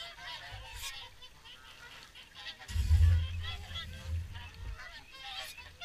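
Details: At WWT Caerlaverock's evening feed, a crowd of swans keeps up steady honking and trumpeting notes, many overlapping. A deep rumbling noise swells midway and fades toward the end.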